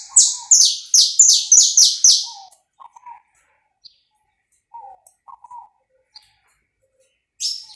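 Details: Live, uncut recording of a saffron finch meant to warm up other birds: a rapid burst of about eight loud, high, downward-sweeping notes, followed by scattered soft low chirps and one last high note.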